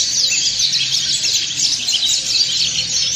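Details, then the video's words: Ngriwik chorus from a flock of dakun and montanus white-eyes, intended for training; short, dense burst of high, squeaky, fast-twittering notes overlapping continuously. "PLECI DAKUN NGRIWIK BERJAMAAH"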